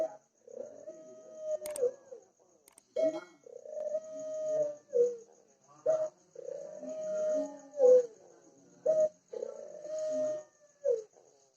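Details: Ringneck dove cooing over and over, each phrase a short sharp note, a long even coo and a quick falling tail, with a faint click near the start.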